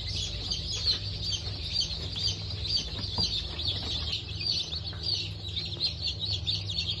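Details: Freshly hatched Brahma and Wyandotte chicks, hatch of 19.10.2024, give a crowded chorus of piercing high peeps, about two per second overlapping without pause, with a constant low droning hum underneath.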